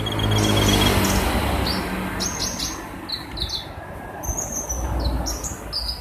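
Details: A lively Van Hasselt's sunbird gives high, thin, clipped notes and short sliding phrases, repeated several times per second. A loud broad rushing noise and a low drone run underneath throughout.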